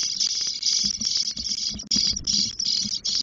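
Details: Spotless starling chicks, ten days old, begging in a nest box in Doñana National Park, Spain, as the female brings food; continuous harsh, hissing rasps in rapid pulses, with faint knocks and rustling from inside the nest.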